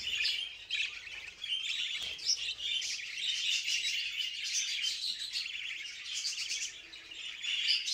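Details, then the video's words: Budgerigars in a mating context, several birds giving a dense, continuous warbling chatter of high chirps and buzzy notes, steady throughout with no other sounds. "Muhabbet Kuşları Kızıştırma Sesleri"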